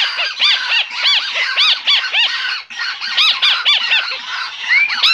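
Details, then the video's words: White-browed crake calling, a recording used to lure birds into snares: a loud, dense, continuous chatter of arched, nasal notes delivered in rapid uneven bursts, with a brief pause midway and no other sounds. "masteran burung tikus tikusan alis putih cocok untuk pikat"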